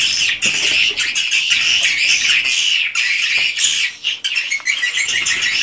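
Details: Flock of swiftlets inside their house building, raw recording. Busy overlapping twittering and squeaky chirps, high and shrill, with sharp clicks scattered through and a brief lull near the end before the chatter resumes.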